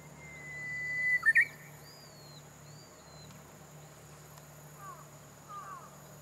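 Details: Japanese bush warbler song heard from a hidden bird that won't come into view: a long, steady whistle of about a second ending in a quick, sharp flourish, then a few faint, higher notes from other birds.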